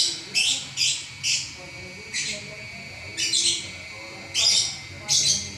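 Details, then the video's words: Champion lovebird singing non-stop for eleven minutes: harsh, buzzy, high chattering bursts, each about half a second long, repeated six times at irregular intervals over steady background hiss. "Burung LoveBird Juara Nya Ngacor 11 Menit Enggak Berhenti"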